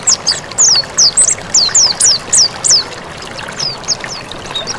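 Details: Mountain white-eye singing vigorously in a recording made for training other birds: a rapid stream of very high, thin, downward-slurred whistles, about three to four notes a second, with a soft hiss underneath.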